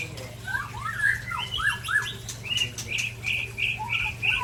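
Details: White-rumped shama, an Ujong Pancu bird sparring with a Tangse bird: a run of slurred whistles rising and falling, followed by evenly spaced bright repeated notes about every third of a second, a low steady hum throughout.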